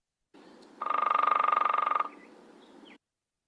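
Downy Woodpecker drumming: an even, steady roll of about twenty rapid taps lasting just over a second, over a faint background hiss.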